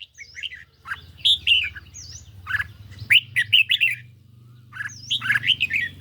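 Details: Red-whiskered bulbul kept caged, singing against phone playback: bursts of sharp, slurred whistles and warbles in three groups, with a continuous low mechanical hum underneath.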